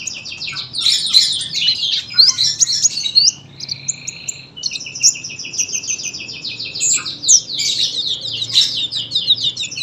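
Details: Energetic sunbird song prized as a master for training other birds: dense, very high chattering twitter, a short pause with a lower buzzy note, then the rapid twittering resumes.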